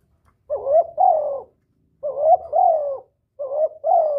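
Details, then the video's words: Spotted dove cooing to lure a male and stimulate a decoy bird: three evenly spaced phrases, each a short rising coo followed by a longer descending one, about a second apart. "Tiếng chim cu gáy gọi kích bổi, gọi trống"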